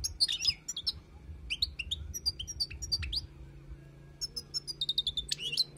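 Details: European goldfinch, wild-type song meant for tutoring: quick bursts of high tinkling chirps and sweet rising notes, a brief pause near three seconds, then a fast, dense twittering series. A faint low hum runs underneath.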